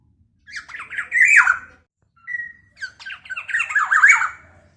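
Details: Two bursts of scratchy, nasal squawking from a lively black-naped oriole whose calls are said to rile other orioles; each burst holds several rasping slurred notes, the second opening with a brief pure whistle, separated by short silence.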